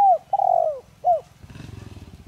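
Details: Decoy spotted dove with a Đồng Rặc voice, used to make other doves call quickly, gives a brief note, a long hoarse falling coo and a short hooked coo, then low rumbling noise.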